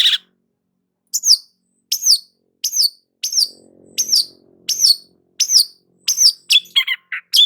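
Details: Long-tailed shrike (cendet) in gacor singing: sharp, harsh notes sweeping downward, repeated roughly once a second, ending in a quicker burst of varied, lower chattering notes. A faint low murmur sits behind the middle section.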